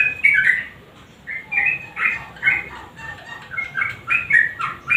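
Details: Sooty-headed bulbul singing in 'nguklik' fashion, meant to coax silent birds into song: scattered short, throaty warbled phrases, some rising and some falling, with quiet gaps between them.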